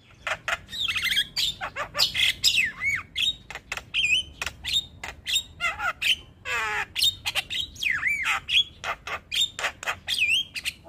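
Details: Black-winged starling (jalak kebo) with white eyes, a contest champion, in a full-filler morning tutor song: an unbroken stream of rasping chatter, squeaky warbles and slurred up-and-down whistles, richly varied.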